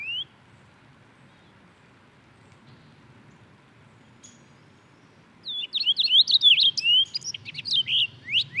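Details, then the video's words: Purple finch (Haemorhous purpureus), a species resident in Canada and the United States, gives a rich, fast warble of high twisting notes that tumble up and down for about three seconds after a quiet pause. "O canto do Tentilhão roxo"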